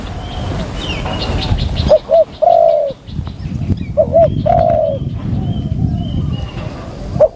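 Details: Decoy spotted dove cooing during a decoy session: two pairs of mellow coos, each a quick double note followed by a longer drawn-out note, over a steady low rumble with faint high chirps from other birds.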